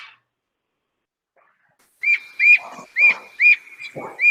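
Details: Canada Jay, or gray jay, in Manitoba winter woods, giving its commonly heard forest call: a brief silence, then four or five clear whistled notes with rising hooks, each followed by a low rough burst, over a steady thin tone.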